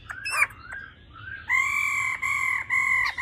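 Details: Female laughingthrush gives a few quick broken notes, then long, steady, clear whistles held about a second each, briefly broken and repeated; finding: laughingthrush.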